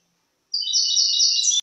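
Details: European goldfinch, 2023, giving one sustained, tinkling trilled phrase of about a second, with layered high notes in a steady stream, ending abruptly with a click.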